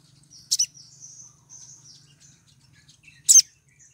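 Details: Female sogon in heat calling to attract a male: two sharp, piercing high chips about three seconds apart, joined by thin, wavering high twittering notes and a faint low hum.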